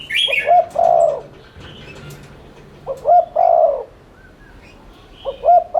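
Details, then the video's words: Spotted dove lure cooing in the fast 'thúc' manner to make other doves coo. Low two-note openings run into a long wavering croo, three phrases with gaps. A brief high twittering call comes at the start. "Cu gáy THÚC Liên Thanh kích bổi,mồi ức chế nhanh gáy/kích bổi nhanh nổi"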